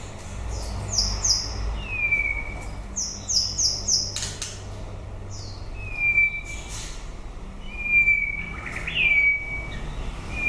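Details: White-rumped shama song late in the breeding season: clusters of very high chipping notes alternate with clear drawn-out whistles that slide down and level off, repeated several times.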